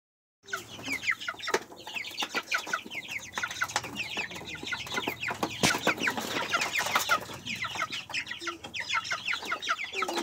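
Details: Three baby chickens in their new farm coop, out on fresh grass in nice weather and glad to spread their wings; dense, continuous high peeping of rapid, overlapping downward-sliding chirps throughout, with small taps and rustles.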